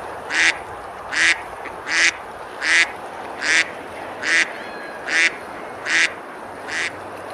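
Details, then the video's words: A duck quacking on a river at Besalú in Girona, Spain, during a summer day of feeding and splashing; nine harsh, nasal quacks repeat steadily about every three-quarters of a second, the last one quieter, over a soft continuous hiss. "Ducks quacking, eating and splashing on the river"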